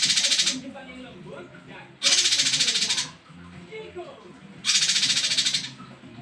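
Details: A male cungko gives its varied song, offered for tutoring other birds: three rasping, rapidly pulsed rattles of about a second each, evenly spaced with quieter gaps. Low background murmuring is heard.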